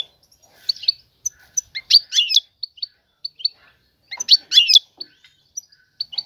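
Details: Female European goldfinch seeking a male for mating, calling to lure him; clean high twittering bursts roughly every two seconds, separated by single short chirps, in a quiet setting.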